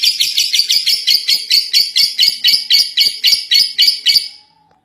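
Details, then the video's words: First-place contest lovebird giving rapid, harsh high chattering bursts, about four per second, in ngekek song, stopping abruptly after four seconds. "Love Bird Juara 1 ngekek 3 menit"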